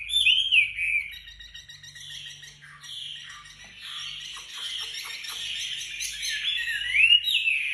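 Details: Wambi delivering 'tembakan rapat' master song meant for training other songbirds: whistled downslurs at the start, then a long rapid twittering run of close notes, finishing with another bright whistled swoop.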